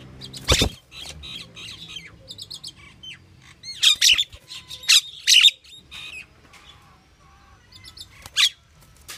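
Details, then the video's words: Pied myna giving a variety of calls: harsh broadband squawks mixed with short whistled notes and rising slurs, irregularly spaced across the recording with quiet gaps between bursts. "صوت طائر المينا | Pied Myna bird's variety of calls and sounds"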